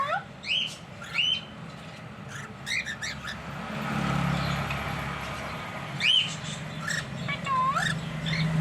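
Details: Pair of pet cockatiels calling. Short rising whistled chirps and sharp upswept notes come in scattered bursts, while a low engine rumble swells through the middle.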